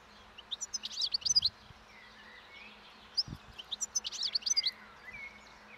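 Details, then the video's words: European goldfinch in the wild, feeding on thistle seeds by a roadside near spring with breeding song beginning; two quick clusters of bright, high twittered notes separated by a gap, plus a short low thump. "European Goldfinch Song and Feeding in Wild / Doğada Saka Kuşu Beslenmesi ve Ötüşü"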